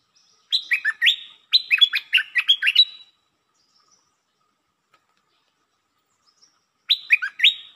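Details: Red-whiskered bulbul giving lakboen (double) song: a fast run of bubbly, falling whistled notes, a second longer phrase right after, then another burst following a pause of several seconds.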